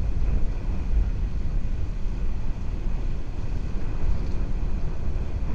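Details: Heavy low-pitched rumble, like wind or distant engines, fills the recording, with no calls from any animal.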